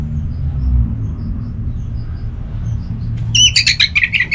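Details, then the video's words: Orange-headed thrush song meant to goad other thrushes into singing, North Bali: after a quiet stretch of low hum, a sudden cluster of bright, fast overlapping whistled notes. "Anis Merah Gacorr Untuk Pancinggan Burung Punglor Jadi NGeplong Bahkan Teler Kalau Jantan"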